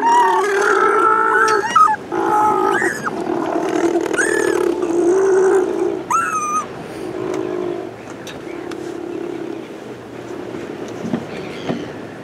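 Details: Little (blue) penguin at a protected hillside nesting site in Dunedin, New Zealand, in the evening after coming ashore to find its burrow and mate, gives harsh, braying, nasal calls in quick bursts, loudest at first then fading; thin high chirps break in.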